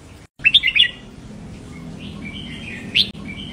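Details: Caged-bird stimulation song of a red-whiskered bulbul in the clear 'double' style. A single brisk phrase of five bright whistled notes is followed by a quiet pause and one short whistle near the end, with soft background rumble.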